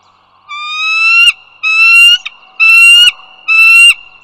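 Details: Bald eagles recorded at the Dulles Greenway, Virginia, 16 April 2022 in the morning: four loud, evenly spaced, rising nasal calls, each about half a second, over a constant thin background tone.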